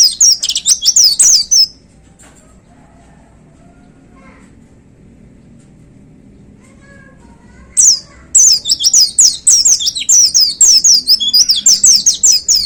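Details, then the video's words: White-eye in full 'gacor' song: a rapid burst of very high, slurred twittering notes, roughly five seconds of near silence, then a renewed long run of quick, thin, descending whistles and chirps. "Suara Tembakan Dahsyat Pleci Gacor"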